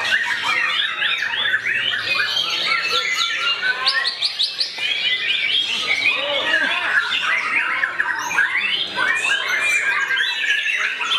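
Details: White-rumped shama actively attacking a rival, giving a dense, fast stream of varied whistles, chirps and trills across a wide pitch range, with overlapping phrases and little pause throughout.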